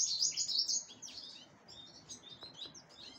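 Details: A black-headed canary (Serinus alario) preparing for breeding sings a quick, high twittering song with bright trills, loudest at first and then softer and more scattered.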